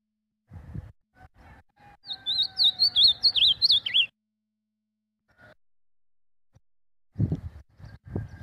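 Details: An ultramarine grosbeak named Tafarel sings one sweet, wavering warbled phrase about two seconds long, drifting slightly downward; a man talks briefly before and after.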